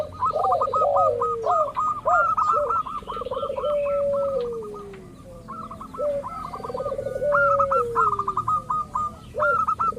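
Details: Local zebra dove lure for drawing rivals into song: rolling coos and a long gliding descending note, with quick clipped notes repeated in brisk runs, about four per second.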